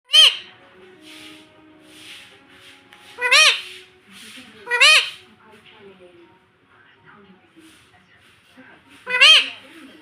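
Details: Pet baby Indian ringneck parrot, kept indoors and taught to say "mummy": four loud, harmonic arched squawks, each rising then falling, spaced unevenly across ten seconds, with faint chatter and soft murmurs between them.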